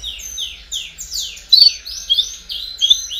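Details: Domestic canary singing in the lively baderna style, used to encourage young birds to sing sooner: a run of high descending sweeping whistles repeated about three times a second, then brighter short rising whistled notes and chirps.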